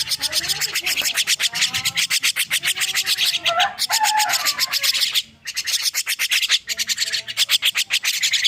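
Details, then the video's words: Young starling just woken up, giving rapid raspy scratchy pulses several per second, broken by a few short clear whistled notes and brief pauses. "Kicau anakan Burung Jalak Baru Bangun Tidur"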